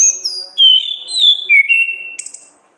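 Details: Orange-headed thrush singing in the ngeplong gacor ngriwik style for training other songbirds: a chain of clear whistled notes that step down from very high to lower pitch, closing with a brief harsh chip.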